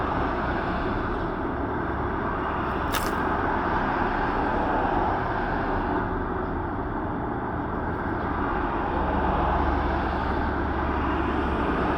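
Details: Steady broadband road traffic rumble with a brief sharp click partway through and no animal voices.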